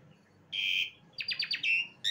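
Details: Brief jalak suren (Asian pied starling) phrase: a steady buzzy whistle, then a quick stutter of chattering notes running into a held note and a rising final whistle.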